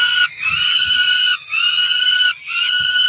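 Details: Peregrine falcon chicks about four weeks old, two ringed nestlings at a nest in Cromer, June 2023, calling at breakfast time: loud harsh drawn-out wails with two strong bands, repeated roughly once a second with brief gaps, faint low thumps beneath.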